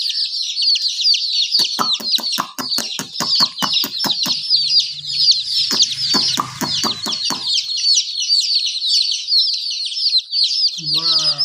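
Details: Chicken chicks keep up a constant high peeping chorus while rapid sharp taps and clatter break in repeatedly, followed by a faint low voice at the end.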